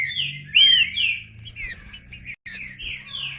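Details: Green-winged saltator song with steady low hum beneath: a sharp clear upslurred whistle, then a stream of sliding whistled notes and short chips with a brief break before the phrase resumes.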